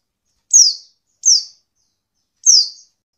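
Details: Three thin, high downslurred call notes from a female Oriental white-eye, used to spur lazy males into answering; the first two come close together, the third after a longer pause.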